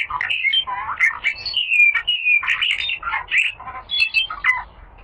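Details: Gacor 'little fellow', a rare bird, delivering continuous mastering song for pet birds: a rich, rapid warble of sliding whistles, chattering notes and brief trills running without pause.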